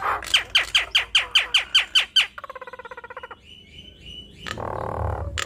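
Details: Nias hill myna in full song, showing off its learned repertoire: a run of about ten sharp, downward-swept whistles, then a fast buzzy trill, a thin level whistle and a harsh burst of noise.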